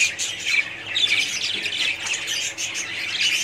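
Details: Colony of budgies in full chorus, overlapping bright chirps, scratchy squawks and twittering warbles from numerous birds, forming a steady high-pitched clamour throughout.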